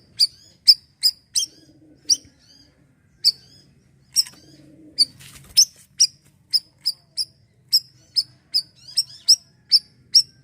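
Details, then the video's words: Asian glossy starling in 'siri-siri' gacor calling, a training sound for untrained birds: a long run of piercing, high staccato chips, briefly interrupted by a clatter midway, then resuming in quicker, steady succession. "bayeman / siri-siri gacoor bunyi untuk burung bahan"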